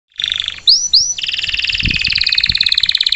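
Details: Canary singing loudly: a short buzzy trill, two rising swooping whistles, then a long rapid pulsed trill held steady, with a few low thumps underneath.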